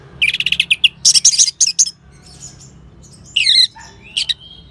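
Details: Song of an orange-headed thrush, used as a tutor sound to get other birds singing. It opens with a rapid rattling trill, then dense chattering bursts, a quiet gap, and a final slurred downward whistle.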